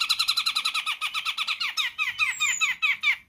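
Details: Sumatran grey-cheeked bulbul giving a fast run of sharp, down-slurred chirps that slows and grows harsher toward the end, with one thin high whistle heard midway.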